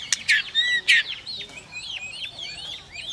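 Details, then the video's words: White-rumped shama singing to provoke another shama into competitive song, clicking repeatedly and flicking its tail; two loud harsh bursts open, followed by many thin, faint whistled slurs rising and falling. "Chòe lửa kích lửa DÌU BỔI Hót ,tạch liên tục đập đuôi kích chòe lửa lên lửa hót đấu"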